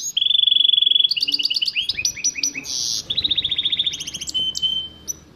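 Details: Goldfinch crossed with canary singing. It starts with a long level trill and moves into repeated rising chirps and a short harsh buzz, then a rapid trill and a thin high whistle.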